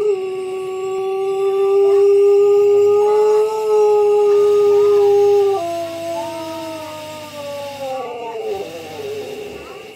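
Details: Pelung chicken crowing: one very long, melodious drawn-out crow on a steady clear tone. It holds level for over five seconds, then steps down in pitch twice before fading near the ten-second mark, in a quiet setting.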